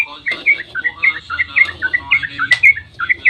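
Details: Yellow-vented bulbul singing a dawn ropel meant to trigger other bulbuls to respond; short burst of bright bubbly whistled notes tumbling up and down, one sharp click midway.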